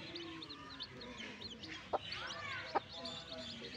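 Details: Backyard newborn chicks chirping in a chorus of quick, high, thin peeps, overlapping one another, with two sharp clicks and a lower clucking sound in the middle.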